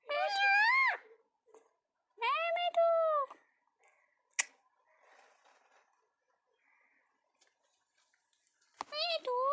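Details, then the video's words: A pet ringneck parrot talks in three clear, voice-like bursts of about a second each, with a person calling to it in between. "ringneck parrot talking"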